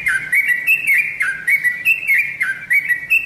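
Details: Yellow-vented Bulbul giving a run of bright, bubbly whistled notes, rising and falling in quick phrases about twice a second; used as a lure call to make other bulbuls answer.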